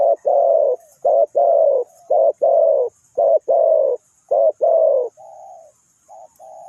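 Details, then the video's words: Decoy spotted dove for bird trapping, delivering rapid rough coo phrases of short note then sustained burred note, repeated about five times before softer, smoother hums fade out. "นกเขาใหญ่สายต่อดิน,The Sound Of the dove"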